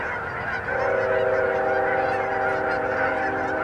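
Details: A huge flock of Canada geese on a pond in Hutchinson, Kansas, January 2011; the din rises sharply after a quieter start, with close, resonant honks over a dense backdrop of distant calling.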